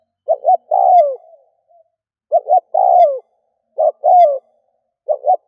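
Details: Spotted dove, used as a decoy to lure wild doves: phrases of two short notes then a longer drawn-out coo falling at the end, repeated about every one and a half seconds, loud and clear with no other sounds.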